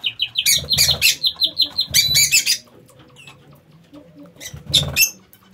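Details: Lovebirds in an aviary: fast rasping chatter of short repeated notes, interrupted by loud noisy broadband bursts, then quieter scattered squeaks before another harsh outburst.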